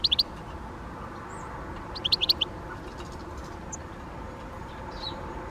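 Great spotted woodpecker giving two quick bursts of sharp, high 'kik' notes, three then four, about two seconds apart, over a steady background rumble.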